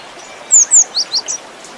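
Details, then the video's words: Cinereous tit giving one short, high phrase: two long, sharp down-slurred whistles followed by three quicker chirps, over faint background hiss. "Suara gelatik batu full isian"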